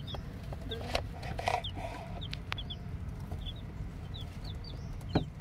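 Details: Chicks fresh from the egg give scattered thin, high cheeps, single or in pairs, with gaps between; a low constant hum underneath and a few louder knocks and thumps nearby.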